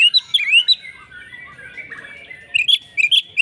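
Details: Oriental magpie-robin in fighting song: a few bright rising whistles, a soft warbling pause, then sharp chirps return.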